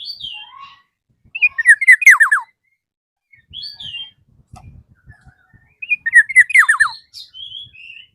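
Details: Black-naped oriole calling a rival. It gives two loud phrases about four seconds apart, each of bright whistles ending in fast downward-slurred notes. Soft high twitters come between the phrases, along with faint low thumps and knocks in the background.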